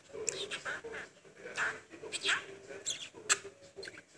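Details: A pet budgerigar chatters in rapid buzzy bursts, mimicking Greek human phrases "kalo agori" (good boy) and "gia sou" (hello) along with its name.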